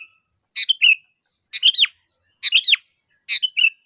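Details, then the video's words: Kutilang or sooty-headed bulbul calling to get other bulbuls to answer: four quick phrases, each a sharp note followed by a sliding whistled slur, under a second apart. "Suara Asli Kutilang Gacor Memanggil, Kutilang Pasti Nyaut"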